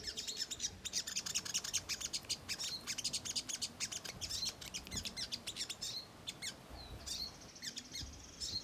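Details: ['Ruby-cheeked sunbird giving its constant, busy chattering song as a provocation lure. Dense, very high-pitched ticking and twittering notes run almost without a break, with a few thin whistled slurs near the end.']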